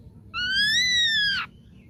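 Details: Single long, clear whistle from a young forest-caught ashy drongo, rising slightly, holding steady for about a second, then dropping abruptly at the end.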